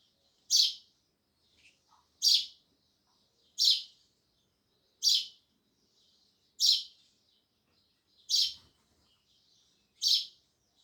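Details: Sparrow chirping loudly: a single sharp, high chirp repeated seven times at a steady pace, about every one and a half seconds, with faint soft twitters between and near silence otherwise.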